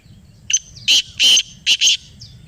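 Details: Black francolin (kala teetar) calling in reply to a played call: a thin lead-in note, then a loud, hoarse, rhythmic phrase of four rasping notes, the final pair quick and close.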